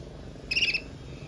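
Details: A red mosaic agate canary sings powerfully, a compact rapid trill of about five pulses with ringing overtones, then quiet hum.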